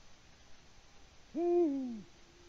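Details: Deep single hoot from a male Eurasian eagle-owl in Latvia, calling for a mate that does not answer, recorded at 18:06 on 6 March 2019 by a live camera; the note is steady, then sags in pitch as it fades.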